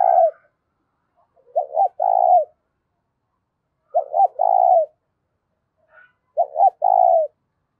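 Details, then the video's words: Loud, clear spotted dove coo played to rouse decoy doves. Three repeated phrases of two quick notes and a drawn-out burred coo, about two seconds apart. Faint higher notes from another bird sound between phrases, with little background noise. "tiếng cu gáy kích bổi mỗi ngày giọng to rõ ít tạp âm"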